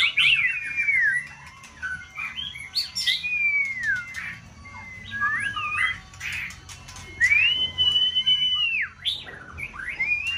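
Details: Song contest white-rumped shama in full season, stimulated into varied multi-faceted singing; pure high whistles slurring down, quick warbled ornaments and a long level whistle near the end, punctuated by clicks.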